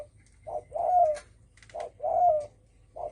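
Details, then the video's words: Spotted dove voicing the thổ sấm call, meant to provoke other birds. It gives a short coo and then a longer coo with a faint upward-sliding overtone, repeated regularly. Faint clicks can be heard in between. "Tiếng chim cu gáy đồng thổ sấm kích bổi"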